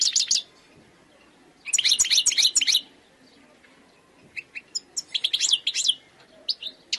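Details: European goldfinch from the wild, heard in quick tinkling phrases of high chattering twitters broken by pauses, then scattered single chips and a final run of jangling notes; no other clear sounds.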